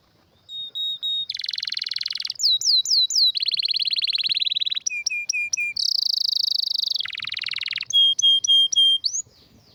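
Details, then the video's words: Loud, varied canary song: whistled notes, rapid buzzy trills, looping downslurred whistles, short clipped notes and a high trill, the phrases changing every second or so. "Canário com Canto Raro e Forte – Ótimo para Seu Mestre Canário HD - CANARY SOUND MELODY"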